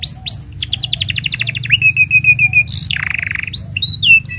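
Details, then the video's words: Canary in long master song for young canaries: swooping whistles leading into a rapid descending run of notes, a steady trill, a coarse buzzy roll, then rising whistles, with low hum throughout. "Kenari Gacor Panjang Ini Bagus Untuk Masteran Kenari Paud Dan Pancingan Kenari Bisu"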